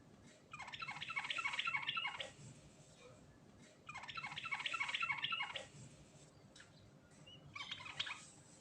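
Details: Sooty-headed bulbul in natural, vigorous rolling song full of varied phrases: two dense bursts of rapid chattering notes, each about two seconds, then a shorter third burst, over faint low background hum.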